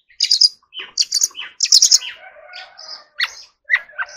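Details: Oriental magpie-robin in song training, giving loud chattering bursts of notes followed by softer whistles and scattered short chips, with brief silences between phrases.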